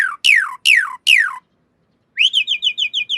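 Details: Master recording of a Javan pied starling, used to train caged birds: three loud harsh notes sweeping downward, a pause, then a rising whistle into a quick series of seven bright repeated chirps.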